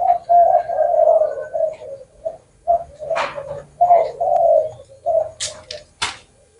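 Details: Low, mellow spotted dove coos, a longer phrase followed by several short clipped coos, with a few sharp clicks or taps near the end.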